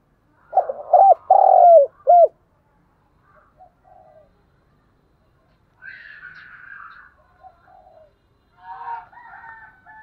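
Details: Spotted dove cooing used to rouse captive birds into calling: a burst of loud, husky coos in the first two seconds, followed by faint scattered calls and softer higher-pitched sounds.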